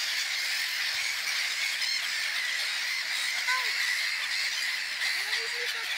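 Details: A dense, continuous chorus of harsh, screechy calls from a black-headed gull breeding colony on Bird Island, Sĺňava, Piešťany, on 26 April 2015, with a few lower rasping cries standing out near the middle and end.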